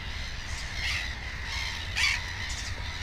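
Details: Black-headed gull at its nest with two chicks, giving two short harsh calls, one near the start and a louder one about a second later, over a steady low rumble of background noise.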